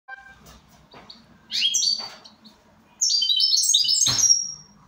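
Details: Goldfinch singing: quiet scattered chips, then two bright bursts of rapid, high twittering notes that tumble downward in quick stepped runs, the second burst longer and denser.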